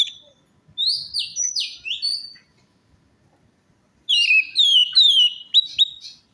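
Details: Orange-headed thrush lure song for a bird that has stopped singing: a string of bright whistled and rising notes, a pause of about two seconds, then a fast warbling run of varied whistles.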